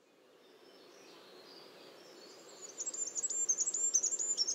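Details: Goldcrest song: after a quiet start, a rapid series of very high, thin, tinkling notes begins near the middle and grows louder, repeated quickly and evenly to the end, over a faint low background hiss.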